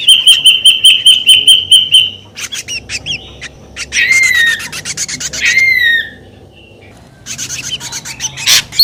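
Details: Ashy drongo in a noisy lure recording: a run of about ten evenly spaced, clear whistled notes, then harsh rasping bursts and two loud down-slurred whistles, with a quieter rasping spell near the end.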